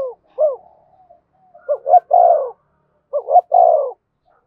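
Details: Decoy spotted dove cooing to stir a newly caught caged male into calling. A short opening coo is followed by two phrases. Each phrase has two quick rising-falling notes and then a longer, drawn-out, falling coo, with quiet gaps between.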